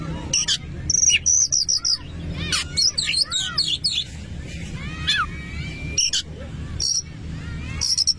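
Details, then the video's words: Oriental magpie-robin singing to rile up rival magpie-robins: loud bursts of high piercing notes, quick rising and falling whistled loops, scratchy chatter and a drawn-out steady whistle, separated by short gaps, with constant low background hum. "KACER LANGSUNG EMOSI DENGAR VIDEO INI"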